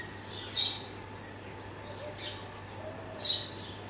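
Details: Rescued red-vented bulbul fledgling, visited and fed by its parents after being moved upstairs away from cats; Canon 80D recording. Two bright, piercing chirps nearly three seconds apart, with constant insect buzz and a low hum behind them.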